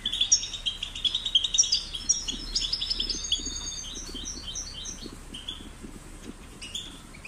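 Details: Young European goldfinches in a cage, sound used to encourage singing: busy high twitter fading over several seconds into softer scattered chirps, faint lower rustling patter beneath.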